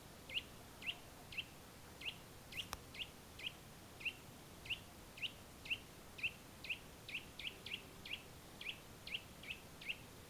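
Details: Eurasian nuthatch song from the Valle del Tiétar, Sierra de Gredos: a long run of some two dozen bright, clipped whistles, speeding up slightly midway, with one sharp click early on and soft hiss throughout.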